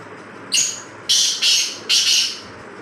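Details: Black francolin calling: a short harsh note, then a loud grating, buzzy phrase of three broad rasping bursts, the middle one joined to the first, all within about two seconds over a quiet background.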